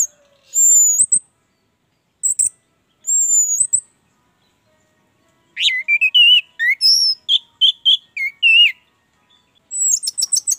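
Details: Orange-headed thrush in full song, played as a trigger for other birds: thin high whistles rising at their ends, then a busy stretch of varied warbled and slurred notes, with quiet gaps between phrases.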